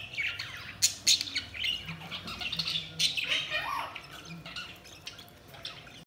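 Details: Budgies chirping: a quick jumble of short, scratchy high chirps and squawks tumbling over one another, with a few lower, softer warbled notes near the middle.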